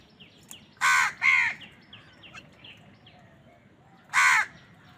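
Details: Crows cawing while wild birds fight with them for food: three loud, harsh, raspy caws, two close together near the start and one more after a pause, with faint chirps from smaller birds between them.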